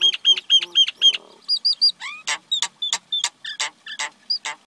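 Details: Common myna vocalizing: fast repeated sharp chirps, then a harsh rattle, whistled upslurred notes and a quick series of loud, clicking, scratchy notes about four per second.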